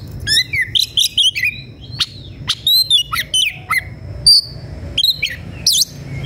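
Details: Oriental magpie-robin (kacer), an emotional bird looking for a fighting rival, delivering a clear varied song: quick whistled phrases, slurred rising and falling notes and sharp high chips in lively bursts against a quiet background.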